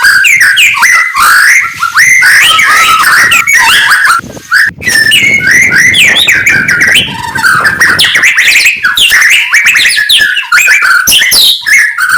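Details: White-rumped shama (murai batu) singing in the morning: loud, dense run of rapid whistled and chirping phrases, rising and falling notes tumbling together with barely a pause.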